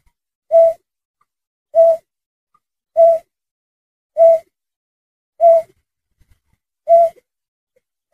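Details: A berkik, sound meant for luring birds, gives six evenly spaced, low, mellow hoots about one and a quarter seconds apart against near silence.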